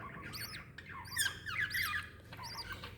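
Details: Lovebird mother and chick, recorded 26 December 2021; bright chirps and harsh rising-falling squawks tumble together in a short burst over low background hum.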